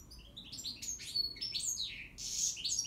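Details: Goldfinch singing: a dense, fast stream of high twittering notes, tinkling trills and slurred chirps packed tightly together, with brief buzzy elements and no pauses, over a faint low background hum.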